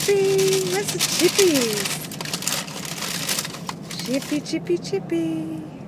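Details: An Eclectus parrot at a McDonald's drive-thru, on his third visit, talks in short, speech-like phrases, saying "drive thru" for the first time and "wanna chip", in two bursts over clattering background noise.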